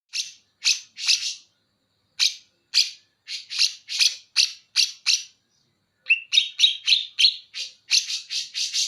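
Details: Greater green leafbird from Banyuwangi singing bearded bulbul imitation material: series of sharp high chirps in quick clusters, then a run of clear whistled notes at steady pitch repeated rapidly.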